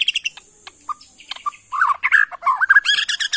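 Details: Wild-origin white-rumped shama from the forests of Kalimantan, Borneo, singing: scattered sharp notes and a steady high hiss, then a burst of varied warbled, slurred phrases and quick chirps toward the end.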